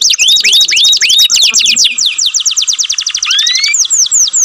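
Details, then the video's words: Loud canary song of rapid repeated chirps with rising whistles, then an evenly spaced trill of sharp notes, a long double upslurred whistle and falling sweeps at the end. "most melodious canary song"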